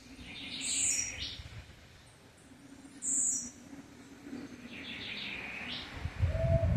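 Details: Blue-black grassquit singing the song style called campainha (bell song): short, sharp, high buzzy bursts with lower sweeping notes, repeated about every two to three seconds, over a steady low rumble of background noise.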